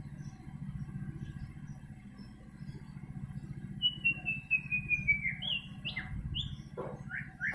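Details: Caged white-rumped shama singing: a descending series of thin whistled notes, then several clear, varied whistles, over a steady low hum.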